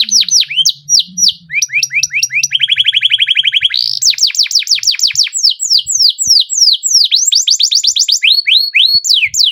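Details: Canary singing a long, loud rolling song: fast repeated downswept whistles, a rapid buzzy trill, then sweeping high notes in quick succession, clean and without other sounds.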